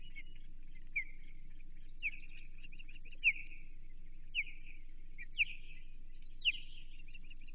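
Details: Osprey calling at a Chesapeake nest on 28 June 2023 while an American shad is fed to the young. Sharp, downward-slurred whistles repeat about once a second, each trailed by a buzzy chatter, over a low hum.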